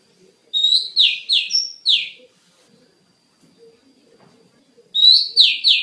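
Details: Training master recording of an Oriental magpie-robin: one phrase of a rising whistle then three rasping descending notes, a long pause, then another burst starting.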